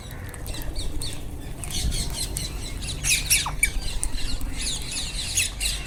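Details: Several wild Indian ringneck parakeets give loud, rasping screeches in quick irregular bursts, growing busier and louder midway, over a constant low background hum.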